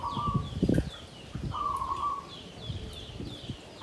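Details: Zebra dove kept in a bamboo cage, klabang kapipit tumpang sari song: two separate mid-pitched rolling coo phrases, with low thuds and knocking noises between them.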